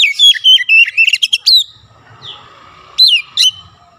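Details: Oriental magpie-robin singing lively while imitating the voice of a Javan myna: a quick run of loud whistled and chirpy notes sliding between high and mid pitch, then a pause and two more sharp downslurred notes.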